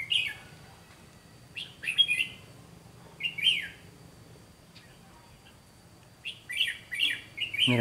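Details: Decoy red-whiskered bulbul during a trapping session, singing its fighting song: a run of short, chirpy, warbling phrases spaced by brief pauses, with a low voice heard right at the end.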